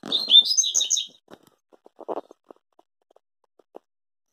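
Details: Brief rusty-collared seedeater song with a fast run of high, ringing whistled notes, some slurred up and down, ending after about one second. Scattered soft taps and clicks are heard afterwards.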